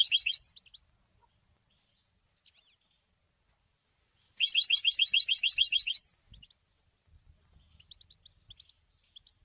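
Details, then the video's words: Goldfinch singing, its song serving to announce presence and attract females: a brief twitter, sparse soft chirps, then a loud rapid high trill of repeated notes lasting about a second and a half, followed by scattered quiet tweets. "Golden songs for goldfinch voices"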